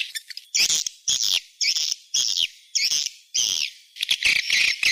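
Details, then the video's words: Swiftlet call used to attract birds to a nest house: bright, chirpy twittering bursts repeated about every half second, high and slightly buzzy, with short gaps of quiet between them. "Suara panggil sp walet seruling sakti"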